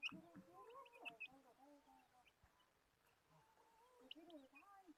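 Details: Desi hens cluck and call together in low, wavering harmonic notes that rise and fall. A few sharp high chirps come at the start and near the end, and the middle is quieter.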